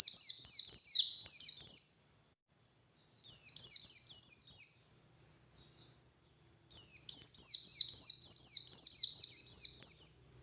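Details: Energetic white-eye song recorded as a morning lure for wild birds: three bursts of very high, thin, downward-flicking notes, the last the longest, separated by clear silent gaps.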